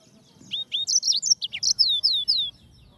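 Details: Yellow-fronted canary, Serinus mozambicus, singing a jaunty phrase of high, sharply falling chirps and slurred notes, about ten in under two seconds.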